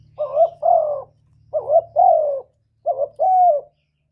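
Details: Spotted dove coos, played to lure doves into traps and excite kept birds; three paired phrases about a second apart, each a brief upswept note followed by a fuller falling coo, clear with a faint low hum.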